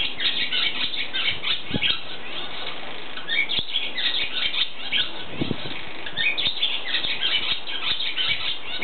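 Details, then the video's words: Barn swallow (Hirundo rustica) in a barn in Eptingen, Switzerland, singing a fast, continuous twittering chatter of high, scratchy notes, with a couple of soft low thumps like fluttering wings. "Rauchschwalbe (Hirundo rustica) beim Gesang"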